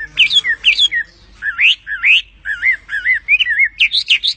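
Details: Bird song of varied whistled notes: high sharp chips, then rising slurred whistles and wavering, rolling phrases repeated at a brisk, uneven pace.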